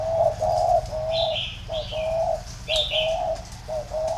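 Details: Spotted dove in plain thổ pha cooing, a warm three-note 'cúc cù cu': steady low hollow notes grouped in short phrases, while small birds chirp higher in the background.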